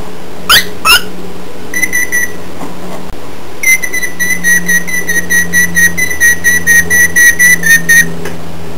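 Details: Pet cockatiel indoors: two quick squeaky chirps, then a short whistled phrase, followed by a long run of rapid repeated whistled notes at an even pitch, heard over a low steady hum.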